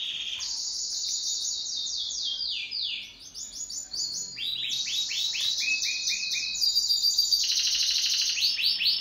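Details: Pet canary singing in duet, with looping downward-swept chirps, rolling trills and bursts of fast repeated notes trading across the phrase, bright and high throughout.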